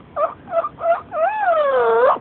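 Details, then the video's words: Talkative female yellow-naped amazon kept as a pet, chatting with its owner: three short clipped syllables followed by a long, smoothly falling then rising word-like note, clear and harmonic over quiet indoor background. "Yellow Naped Amazon Chit Chat"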